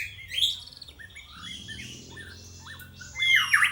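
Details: Song of a young white-rumped shama under strict training: short rising and falling whistles and chattering notes spaced apart, then a loud harsh burst at the close, with low background hum.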